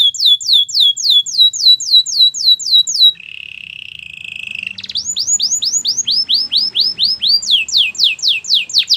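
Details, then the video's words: Singing canary for training: rapid rising whistled notes, a low buzzy rolling trill, then further runs of swept whistles, one series faster than the other. "The most popular canary training!! Your belgian canary will sing a lot"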